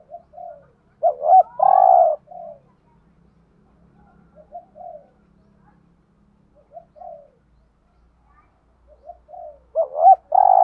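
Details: Cooing of spotted doves, cock and hen, from a lure recording for stirring wild doves: two loud phrases about nine seconds apart, each a stuttered double note and sustained hoarse coo, with soft intermittent murmurs between.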